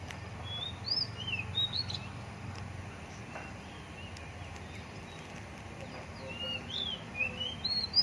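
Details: Wild Oriental magpie-robin (kacer) singing outdoors: clear, varied whistled phrases, some rising and some falling, in two bursts near the start and end, over steady low rumbling background noise.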